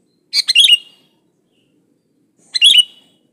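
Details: Wild sooty-headed bulbul in natural song, without added imitations: two short bubbly, chattering bursts of notes about two seconds apart, with silence between.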